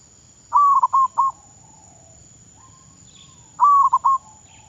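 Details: Zebra dove, or perkutut, trained as a decoy in Thailand, repeating a cooing phrase twice, a long tone followed by rapid short notes, with a thin high whine throughout and a faint distant chirp between phrases.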